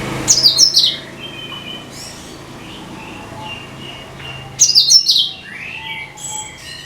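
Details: Cucak kinoi song used to lure every kind of bird: two bright, high, chattering bursts sweeping downward about four seconds apart, with soft thin whistles and a low hum between them.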